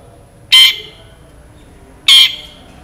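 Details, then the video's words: Long-tailed shrike in vigorous voice, its song full of varied fill notes, uttering two short, loud, grating squawks about one and a half seconds apart against a quiet background. "CENDET GACOR FULL ISIAN ASLI SULTAN LAGU MEWAH TEMBAKAN TAJAM PANJANG JERNIH"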